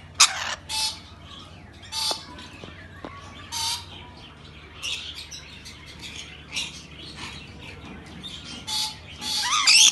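Rainbow lorikeet giving harsh, shrill screeches in short bursts about every second, with some softer chattering between them.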